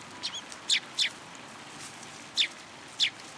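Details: Sparrows coming to a platform to be fed at a Tenmangu shrine on 14 February 2023; five short, sharp high chirps in quick pairs and singles, scattered over a few seconds against a soft steady background hiss.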